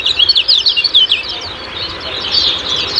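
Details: Kecial kuning lure song in ciak-ciak style: an opening burst of fast, loud, high chirps, then softer, fainter twittering over background hiss.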